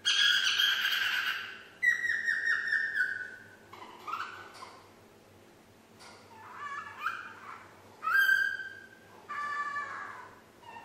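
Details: Nine-month-old female pet parrot practising the Yankee Doodle tune. A harsh, noisy burst is followed by a series of falling whistled notes and then scattered squeaky whistles and rising toots, with a low household hum underneath.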